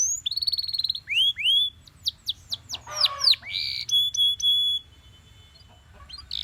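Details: A Belgian canary singing in the morning: a fast, varied song of bright sweeping whistles, rapid chirped trills and a sustained rolling note, all high-pitched and loud.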